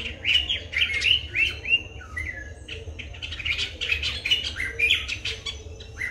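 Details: White-bellied drongo in Sri Lanka, Nikon COOLPIX P1000 recording: a lively stream of chirps, slurred whistles and harsh chatter, loudest at the start, rolling on without pause over faint low-frequency noise.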